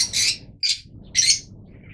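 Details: Three loud, harsh, high squawks from yellow Fischer's lovebirds, spaced about half a second apart, with a low steady hum underneath.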